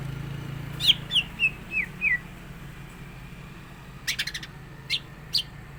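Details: Green leafbird with a song full of borrowed phrases, in top form and ready for a singing contest: a run of five clear whistled notes sliding downward, a pause, then sharp chirps and short high whistles over low background hum.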